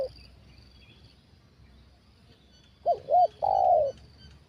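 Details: Spotted dove at a decoy trapping session, its big-voiced 'kuk satu' song: after a long quiet stretch, two quick hooked coos lead into one prolonged, steady coo near the end. A faint high insect hum persists.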